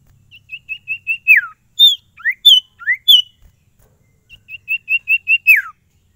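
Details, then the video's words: Lively kept sirtu repeats a phrase: five or six short high piping notes speeding up into a falling slur, then separate rising and falling notes, the piping run and slur repeated. "SIRTU GACOR ANTI STRES !! FULL VARIASI SUARA CIPOW GACOR DOR"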